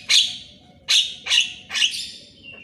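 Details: Javan myna in the morning, a recording for training mynas that seldom sing: four loud harsh squawks, each a noisy rasp, spaced under a second apart, with a faint thin whistle at the close.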